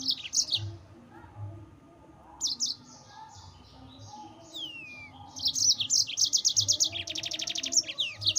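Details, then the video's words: Yellow-fronted canary song used to provoke rival birds: bright high twittering bursts and trills, a fast buzzy rattle near the end, plus a descending whistled slur, against a faint low hum. "Mozambik Gacor NGEROL Terbaik untuk Pancingan bikin Lawan Naik Emosi"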